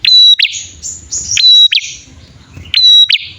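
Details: Male and female bar-winged prinia lure calls to attract wild prinias: high clear whistled notes snapping into sharp chips, followed by sweeping buzzy slurs, in groups roughly every one and a half seconds.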